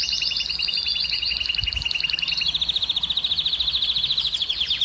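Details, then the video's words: Canary song played to encourage hens to breed: two-layered rapid trill that swells, briefly pauses, then resumes as an even rolling series of repeated notes, with a short low thump. "كناري مجنون - الكناري المجنون سبحان الله أفضل صوت لتهييج إناث الكناري وحثهم على الزواج"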